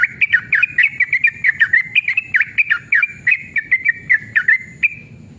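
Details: Rolling song of an excited male sooty-headed bulbul, meant to lure other bulbuls into singing: quick series of rich, liquid whistled notes, rising and falling, running about three per second, trailing off into a final drawn note.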